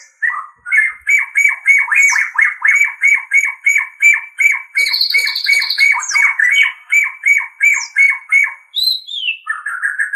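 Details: Captive-training white-rumped shama singing a fast series of repeated chattering notes, about three per second, joined by a high buzzy trill midway and ending in falling whistles.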